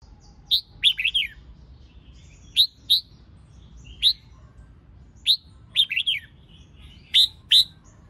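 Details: Female red-whiskered bulbul singing to stimulate males: bright, sharp chirped notes and short warbled phrases, about seven bursts spread across eight seconds, with quiet pauses between them and no other clear sounds.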